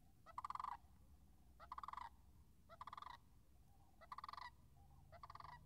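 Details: Five rolling, purring Sandhill crane rattles, spaced just over a second apart, ring out near frozen marsh puddles on March 26th, 2019, against a soft low rumble.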